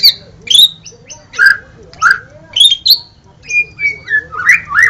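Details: A White-rumped shama kept in a cage sings spaced phrases: bright whistled sweeps and short chips about every half second, then a level whistle and rising slurred notes, with a low hum behind.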